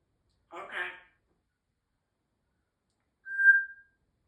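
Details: Pet African grey parrot indoors making noises: a short hoarse, breathy chatter, then after a pause of over two seconds a single clear, steady whistled note.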